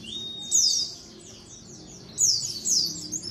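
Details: White-eye colony sounds used to lure birds. A long thin steady whistle leads into bursts of sharp high downslurred chirps, then a pause and two more chirp bursts.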